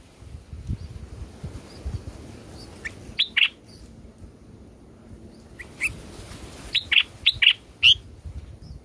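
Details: Bulbul nestlings in the nest, being fed by their mother with fruit such as grape and banana, give short, high, squeaky chirps in quick bursts of two to four, spaced a few seconds apart, over a faint low hum.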